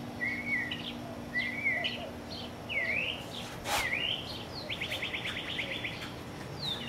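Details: Birds singing in a backyard, with short chirped whistles, swooping up-and-down notes and a fast buzzy trill, over a faint steady hum; one sharp click partway through.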